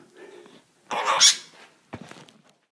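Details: A pet miniature macaw talking, which the owner jokes is saying lottery numbers: raspy, speech-like bursts of a soft murmur, a loud harsh squawking phrase, then a short scratchy utterance, in a quiet room.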